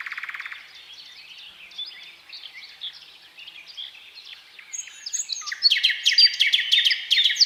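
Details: Thrush nightingale strophe opening with a short rattling burst, then quiet scattered warbling, ending in a loud run of rapid, sharp repeated strokes.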